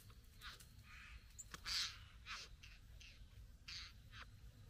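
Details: Satin bowerbird courting a female at the bower: scattered scratchy buzzes and short harsh notes, one louder grating burst midway, against a low background rumble.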